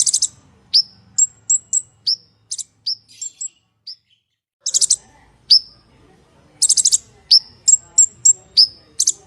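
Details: An olive-backed sunbird, called a konin (kolibri ninja), sings loud, full song with coarse bursts of very high, sharp chips and quick downslurred whistles, with brief pauses between bursts.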